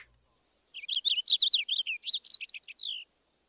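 Purple Finch song: a rapid, rich warble of clear, bright notes tumbling up and down for about two seconds, ending on a steadier note.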